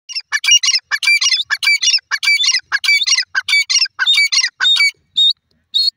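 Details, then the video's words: Francolin of the Irani desi type calling: harsh, grating multi-part notes delivered in quick rhythmic bursts, roughly two per second, steady through the run before trailing into a few thinner squeaky notes, against a clean quiet background. "irani desi teetar ki awaz"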